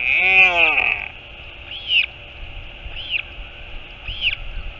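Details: Royal albatross at its nest in the colony at Taiaroa Head near Dunedin, New Zealand, on 4 July 2022, as the mother arrives: a nasal harmonic call lasting about a second, then high arched chirps repeated roughly every second.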